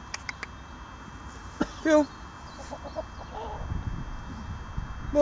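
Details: A male pheasant gives one short, harsh, grating note near the middle, then a few fainter calls, while being filmed; the owner suspects he is getting peeved. A man's voice and some clicks come first.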